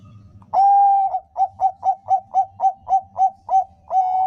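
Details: Zebra dove song used as a lure to get other doves singing: a long soft coo, then about ten quick, evenly spaced mellow cooing notes, ending in another drawn-out coo, over faint low rumble.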